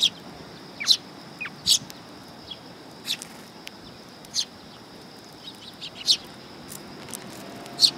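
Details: Sparrows coming to be fed at a Tenmangu shrine on 27 August 2022; short, sharp high chirps from several birds, scattered irregularly, some doubled, over a steady faint high hum.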